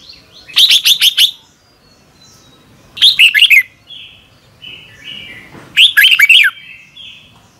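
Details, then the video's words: Red-whiskered bulbul in a morning training song, used as decoy for training birds; three short bursts of quick warbled, slurred whistles, each under a second, spaced about two to three seconds apart with faint softer notes between. "Luyện chào mào hót sáng 2022 - Hót hay nhanh căng lửa | Ép bổi Giọng xoắn kép"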